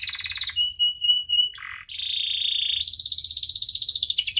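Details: Canary with a chirping, rolling song used to coax reluctant canaries: a buzzy trill, short clear whistles, a harsh burst, then a long buzzy note and a quick high pulsed trill.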